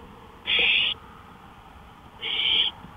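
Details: Owl on a porch at night, May 5, 2013, 1:53 AM. A pair of strong, grating hissing screeches, each about half a second, separated by nearly two seconds of low hum.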